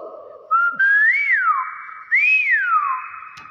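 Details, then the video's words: Common hill myna, a clever talking bird, whistling two loud rising-and-falling phrases, each swooping up then gliding down, after a spoken Islamic greeting exchange with people nearby indoors. "Burung Beo pinter unik banget"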